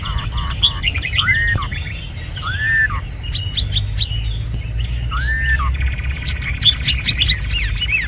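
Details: Tame caged red-whiskered bulbul singing: a few loud arched whistled notes, each rising then falling, spaced about one to two seconds apart, with softer chirps between and low background rumble.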